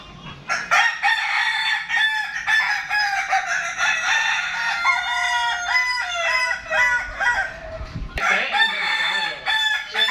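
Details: Kokok Balenggek roosters at a crowing contest in Padang on Sunday, 8 October 2023: many long, multi-step crows overlap into a dense, continuous chorus, with a sudden shift in the sound near the end.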